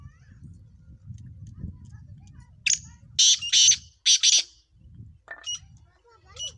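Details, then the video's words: Black francolin giving a harsh, scratchy call. Four loud rasping bursts come in quick succession, followed by fainter, thinner notes from other birds. Low murmuring background noise runs throughout. "kala teeter ki awaz"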